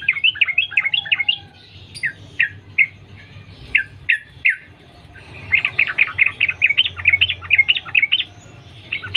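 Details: Sooty-headed bulbul in the wild, singing in the rapid, unbroken sambung ropel style, a lure recording meant to set other bulbuls singing. Quick bursts of bright chirping notes, then spaced single chirps, then another long, lively twittering run.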